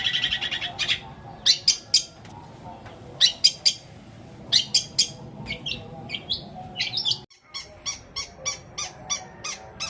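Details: Long-tailed shrike performing a long mimicry fill in greja petir and kuntilanak style, aimed at stirring silent shrikes. Irregular sharp chirps and short warbled phrases, about three-quarters of a call each second, with a brief drop before a steady chirp run.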